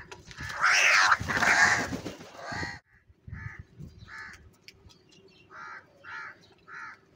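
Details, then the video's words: Crows squabbling over food while eating cheese: a loud, harsh burst of overlapping cawing lasting nearly three seconds, then a run of shorter nasal caws spaced about half a second apart over a steady low hum. "Crow sound & Fight For Food"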